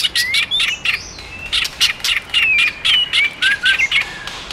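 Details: White-rumped shama singing, roused by a female, in a competitive singing style: sharp broadband chips repeated several times a second, with short clear whistled slurs near 2–4k woven between them.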